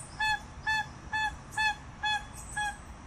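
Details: Six evenly spaced, clean nasal honks from a crested guan, each short and flat, about two per second, against a quiet background.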